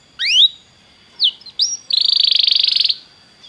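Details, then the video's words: Belgian canary song for warming up a canary: a rising sweep, two brief falling notes, then a rapid buzzy trill of about a second, with a steady faint high tone underneath. "canário belga muito lindo cantando, aqueça seu canário imediatamente"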